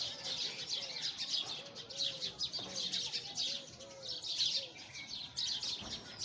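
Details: Sparrows keep up a dense, high chirping chatter, while a softer, lower repeated call sounds faintly in the background.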